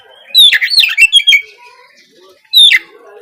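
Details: Morning song of an untrained, spotted 'trotol' Oriental magpie-robin, used as a lure so other birds start singing quickly. A busy tumble of slurred whistles and twangy notes comes first, then a single sharp falling whistle after a pause.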